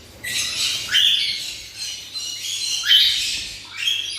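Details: A black-winged lory (blue-cheeked lory), a pet bird kept in Bhubaneswar, Odisha, gives harsh, grating screeches about every second or two, each a noisy burst with a rising start, over a faint low hum.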